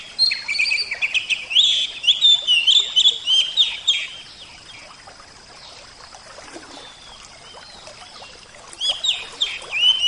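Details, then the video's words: Oriental magpie-robin song set with water sound: dense, varied bursts of sharp whistles and chattering notes for about four seconds, a quieter pause, then renewed loud whistled phrases near the end. "terapi kacer suara air"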